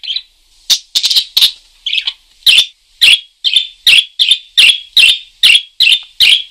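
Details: Parakeet calling steadily: a rapid train of sharp, high chirps, about two per second, each slightly falling, with a brief cluster of quicker notes early on.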